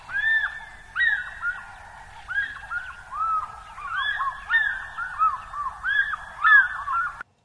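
African Fish Eagle giving loud, ringing yelps, arched notes tumbling over one another for about seven seconds, sounding like two birds calling together.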